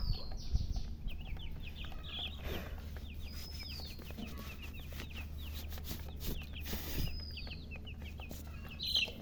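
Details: Domestic chicks chirping in a group, a busy stream of short, high, downslurred peeps at irregular intervals over a constant low hum, with occasional handling noises.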